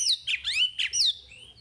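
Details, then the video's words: Chinese hwamei singing, meant to prompt untrained birds: two loud slurred whistles, each sweeping down then up, followed by a fading rising note. "Suara Wambi Gacor Untuk Pancingan Hwamei Bahan"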